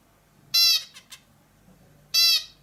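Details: Bulbul uttering two loud, harsh, nasal squawks about one and a half seconds apart, each roughly a quarter second long, with two faint short notes between them.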